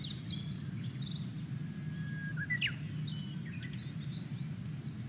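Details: A Japanese bush warbler sings in Kobe on 29 March 2022, in cherry-blossom season. It gives a long, level whistle that slides up into a quick rising note, among busy high chirps from other birds over a low rumble.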